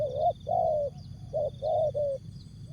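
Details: Spotted dove, locally called tekukur, song in jergot, tapau or bungkus style: a run of five mellow coos, short and long notes alternating, over a faint constant high-pitched hum and low background rumble.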